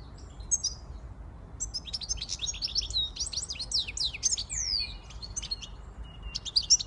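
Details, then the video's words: Siskin x goldfinch hybrid song, a steady stream of high twittering notes, sharp downslurred chips and short buzzy phrases delivered almost without pause, with a brief lower whistle near the end. "Switty Siskin x goldfinch"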